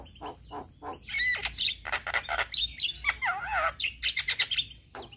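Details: Song of a male Javan myna, played so other mynas can learn sounds. A dense medley of harsh chatters, squawks and a wavering, warbling whistle, delivered in quick uneven bursts.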